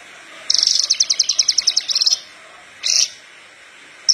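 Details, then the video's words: Parva Horsfield's bush lark in full song, recorded for training untrained larks: one long phrase of quick, high, pulsed chirps, then a short isolated burst and the start of another note. "Branjangan parva gacor pas buat pancingan branjangan bahan"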